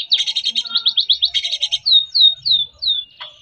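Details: White-rumped shama singing 'gacor' style to provoke silent shamas: quick repeated chirped notes about five per second, then four clear, drawn-out downslurred whistles and a final sharp note.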